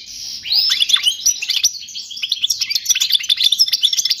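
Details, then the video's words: A goldfinch sings in a lesson recording for chicks, opening with a few slurred whistled notes, then a busy stream of high tinkling twitters and short trills. "تغريد الحسون الملكي خالي من الاخطاء لتعليم الفراخ"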